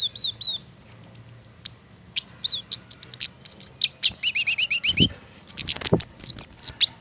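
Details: Flowerpecker of Indonesian gardens, a mistletoe-fruit eater, in full song: looping whistled chirps, a rapid level trill, then dense high ticks and squeaky phrases, loud and busy throughout, with a couple of low thumps.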